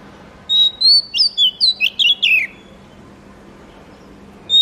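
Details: Oriental magpie-robin (murai kampung, kacer) delivering one lively phrase of about nine quick whistled notes, sliding and twisting in pitch and descending at the end, followed by quiet background hiss.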